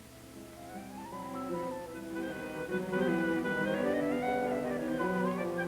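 Orchestral music with bowed strings swelling in rising and falling phrases; no animal sounds are heard.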